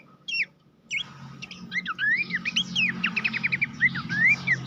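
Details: Horsfield's babbler master song used to train competition songbirds: bright whistled notes and slurred rising and falling phrases between mid and high pitch, delivered in quick bursts over a steady low hum.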